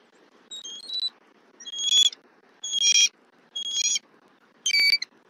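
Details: At a Southwest Florida nest on 2024-11-23, a female bald eagle calls loudly as the male arrives with a fish. Five separate bursts of shrill, whistled chittering come about once a second over a soft background hiss.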